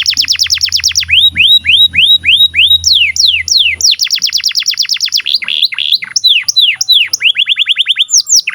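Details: Extended canary song used to train young canaries and birds that have stopped singing. Fast trills alternate with looping whistled syllables and rattling rolls, shifting tour every second or two, over a faint low hum early on.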